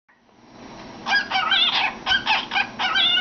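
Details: Pet cockatiel chattering with its head inside a cardboard tube, a soft lead-in then bursts of harsh, warbled notes from about one second on, in rapid clustered phrases.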